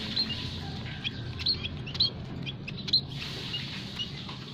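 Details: Aviary munias of mixed kinds calling steadily, meant to lure wild birds for trapping; sharp high chips about once a second, with softer tweets between, over a continuous low hum.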